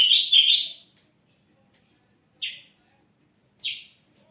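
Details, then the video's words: Ashy drongo kept as a lure bird gives a short burst of rapid warbling, then after a pause two single slurred whistled notes, spaced more than a second apart. "srigunting abu gacor siang malam"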